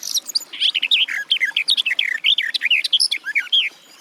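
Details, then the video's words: Garden warbler in steady full song, a bubbling, continuous flow of mellow notes that swoop up and down without pause for the whole four seconds. "Warbler garden, birdsong"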